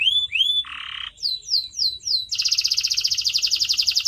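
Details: Canary song recorded for training pet birds: rising whistled notes, a coarse buzzy burst, four swept chirps, then a loud, fast rolling trill that runs to the end.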